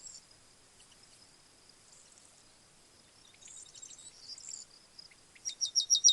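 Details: Yellowhammer heard quietly at first with soft high twitters, then a series of rapid repeated high notes grows louder toward the end.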